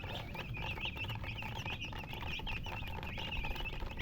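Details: Baby chicks peeping steadily, a dense chorus of high, short chirps overlapping throughout, over a constant low rumbling background.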